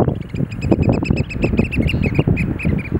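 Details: Display dance of Eurasian oystercatchers, with urgent, piercing piping notes tumbling in a quick, slightly uneven series, accompanied by loud low rumbling thuds.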